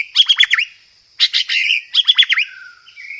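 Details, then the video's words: Cage-bird master song of a white-rumped shama with many filler phrases: three quick bursts of rapid, stuttering chirps and slurred notes separated by short pauses, ending in a soft drawn-out whistle. "Masteran Burung Murai Batu"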